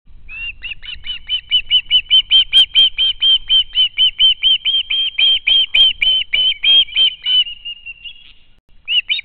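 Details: Young osprey at its home nest, seen on a live nest camera, screaming for food after spotting a parent; a long fast series of loud, piercing, squealing notes, about four per second, then a brief pause and a fresh burst.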